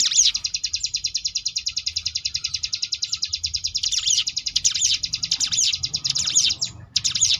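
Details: Sunda bush warbler delivering ngebrem variation, a tutor recording for contest birds: a fast even trill of high pulses gives way to denser swooping phrases, with a short pause before the end.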